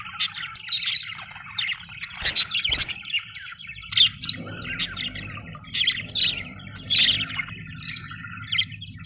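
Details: Happy budgie chirping in short scattered bursts of sharp high tweets and squeaky warbles, separated by brief gaps, over a steady low background hum.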